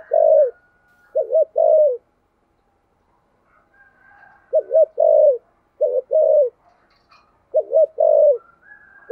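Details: Spotted dove with a thổ sấm voice delivering thúc gù coos: groups of deep, hollow short-long notes, a quiet pause of about two seconds, then more coo pairs.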